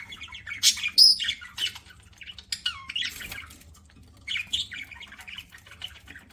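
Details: While eating, a pet budgerigar utters quick bursts of scratchy chirps and buzzy squawks, some rising or falling, separated by short pauses.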